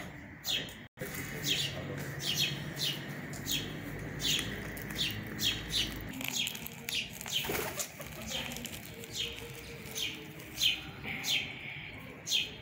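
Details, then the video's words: Parent sparrows feeding chicks, giving a long run of brief, high, descending chirps at uneven intervals, accompanied by bursts of wing flapping and a low background rumble. "gorriones alimentando a sus pollos"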